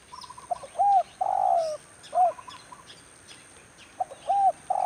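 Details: Spotted dove (tekukur) used as a decoy during bird trapping in the rainy season: clear, low cooing in short bursts, a quick stuttered lead-in followed by longer mellow coos, repeated in three groups, with faint chirps in the background.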